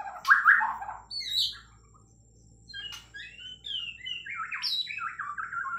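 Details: White-rumped shama from Kalimantan, Borneo, in long continuous singing: varied whistled phrases, rich slurred notes then a string of rising and falling sweeps, with a faint steady high tone behind.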